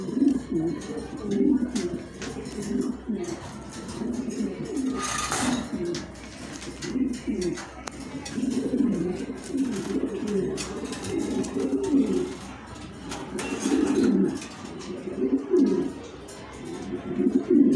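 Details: Bluebar racing pigeon gives soft, throaty coos in rolling bursts, with low room noise behind.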